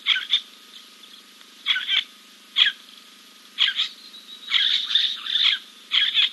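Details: A giant kingfisher preening after a dip at King's Camp on 2 April 2024 gives short, harsh, rasping bursts in irregular clusters about a second apart, over a faint, steady electrical hum.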